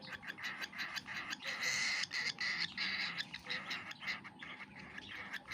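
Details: Young cockatiel eating, a continuous stream of scratchy rasping begging notes pulsing rapidly, around three per second, rising in loudness midway.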